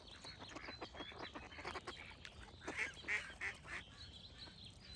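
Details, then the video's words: Ducks in a rapid, chattering run of short reedy quacks, louder and harsher toward the middle, with a thin high bird song running behind. "Cute Duck Quack Sound Effects with Birds Singing"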